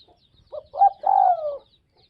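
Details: Spotted dove, Tây Bắc (Northwest) type, delivering a single phrase: a pair of short hoots and then one extended, quavering coo that gradually falls in pitch. Faint chirps sit high in the background.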